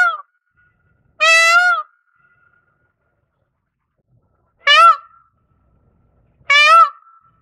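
An Indian peafowl gives three loud, nasal, wailing calls, each under a second and rich in harmonics, with long quiet gaps between them.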